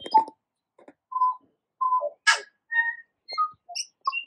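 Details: Tui in New Zealand among kōwhai blossoms: spaced, pure whistled notes at differing pitches, a harsh broadband crackle midway, then quick high chimes and short phrases.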